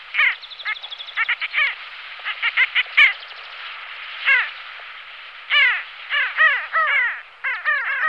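Pin-tailed sandgrouse giving harsh, nasal, down-slurred calls in quick irregular bursts, several birds overlapping, over a faint high hiss.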